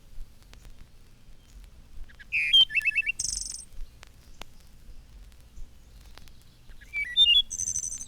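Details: A Wood Thrush sings from woodland in spring: two measured, flute-like phrases a few seconds apart, each opening with low clear notes and ending in a high, shimmering trill; otherwise quiet.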